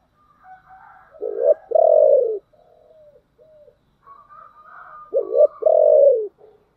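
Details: Decoy spotted dove with a thick 'giọng thổ' voice, meant to lure wild doves quickly, utters two low coo phrases a few seconds apart. Each is soft lead-in notes, then a short coo and a long booming drawn-out one.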